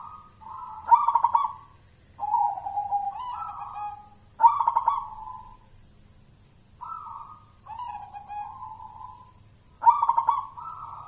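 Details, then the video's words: Wild-born local zebra dove from Mojopahit, Java, hand-raised and a contest winner, sings repeated phrases: a sharp rolling burst followed by a smooth descending coo, about every three seconds. "suara perkutut lokal mojopahit sang juara lomba gacoran"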